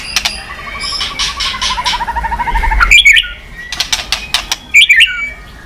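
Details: White-rumped shama, stimulated to sing while flicking its tail. A low, even trill that slowly descends, then sharp chirpy notes and clicks.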